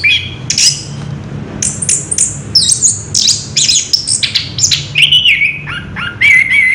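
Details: Energetic rolling song of an Orange-headed thrush, dense bursts of high chirps and slurred whistles, ending in lower sustained warbled notes, over a low background hum.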